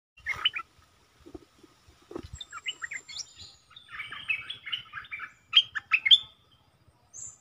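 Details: Decoy bulbul, a caged bird kept to lure others, sings in Thailand in a doubled style: scattered bright chortled phrases, a faint thin whistle, then a longer burst of rapid bubbly warbled notes near seven seconds.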